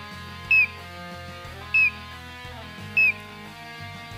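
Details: Collared Crescentchest (Melanopareia torquata), a cerrado endemic, sings short, bright, slightly falling whistled notes about every 1.3 seconds over steady background music.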